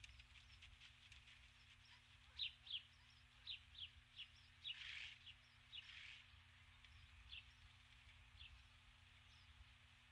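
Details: At dusk on 21 July 2015, a female osprey stands on her nest, having brought a stick, and calls for her absent mate: short, sharp high chirps in loose bursts, some louder, against a low background hum.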